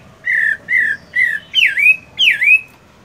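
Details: Moulting caged Chinese hwamei at morning voice practice. Five loud whistled phrases: three flat slurred notes, then two that drop sharply and rise again, evenly spaced about every half second against a quiet background.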